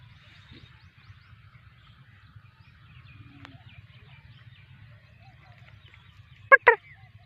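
Black francolin gives two loud, harsh, grating notes in quick succession near the end, after a stretch of faint distant birdsong and a low rumble.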